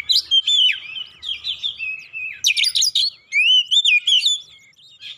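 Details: Oriental magpie-robin lure song to rouse other birds: wavering whistled phrases and slurred sweeps broken by a harsh buzzy burst, notes coming roughly 158 a minute.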